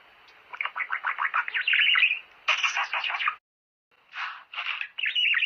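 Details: Budgerigar song meant to encourage mating: fast chattering warble of rapid buzzy notes in dense bursts, broken by a short silence, then resuming in scratchy clusters.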